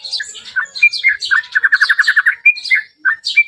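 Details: Yellow-vented bulbul song played as a lure to provoke a reply: bubbly, warbling phrases with a quick run of about ten evenly spaced liquid notes in the middle, then short chirpy phrases.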